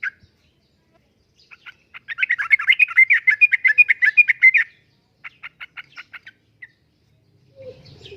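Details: Prolific yellow-vented bulbul singing in the 'uplik-uplik' manner for luring and tutoring kept birds: a few scattered chirps build into a rapid, rattling burst of bubbly notes, followed by a row of quick, evenly spaced chips.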